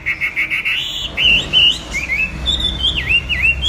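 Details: Chinese hwamei singing: a quick run of repeated short whistles, then looping, slurred whistled notes that dip and rise, loud and clear.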